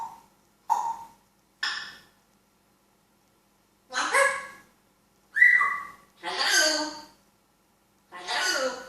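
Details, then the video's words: A talking grey parrot gives seven short bursts of mimicked talk and whistles, a clear whistle among them, with long pauses between phrases. "Talking African Grey parrot"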